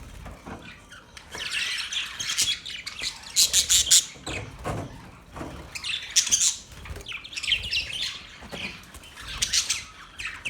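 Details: Budgerigars chirping in short, scratchy, high-pitched bursts of chatter broken by brief quiet gaps, with louder clusters midway and near the end.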